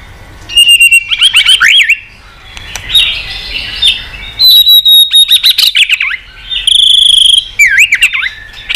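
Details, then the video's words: White-rumped shama in a rich multi-voiced song used to stimulate and train birds: loud bursts of rapid chattering notes mixed with high sustained whistles and quick down-slurred phrases, in several bouts with short gaps. "Kích Chòe lửa hót nhiều giọng"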